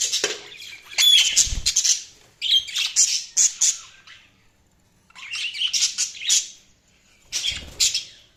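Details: Budgerigars chirping indoors: bursts of high, buzzy, scratchy warbling chatter with a few clear whistled notes, broken by short pauses, plus occasional low thumps.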